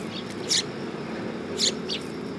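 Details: Sparrows coming onto a raised platform at a Tenmangu shrine on 3 September 2022: two short, bright, sharp chirp bursts about a second apart, with softer faint chirps between them over a steady low background rumble.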